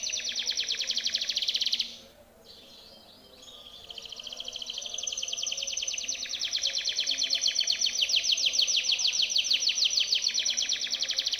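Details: Timbrado canary's powerful training song: a dense, continuous buzzy trill of very fast repeated notes, briefly breaking off near two seconds, then rebuilding louder and running on steadily.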